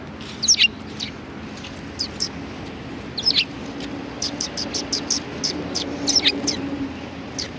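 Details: A flock of sparrows at a Tenmangu shrine, February 2020, chirping in spaced groups that turn into a fast, overlapping chatter of high notes near the end, with a faint traffic hum underneath.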